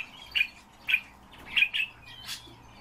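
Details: Pet common starling indoors giving a few sharp, high clicking chirps, spaced about half a second apart, followed by a brief buzzy note.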